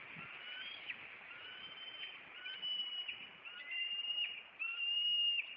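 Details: Bald eagles of a nesting pair in Maine on April 26, with the male flying at an intruder and landing on a branch; a series of thin, high whistled notes, some rising, with sharp chips between them.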